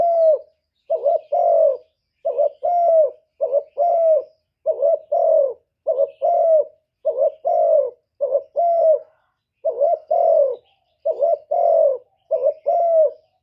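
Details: Spotted dove cooing and calling to provoke rivals: a steady series of mellow, low, slightly falling coos in paired and single notes, about every second, clean with no other sounds.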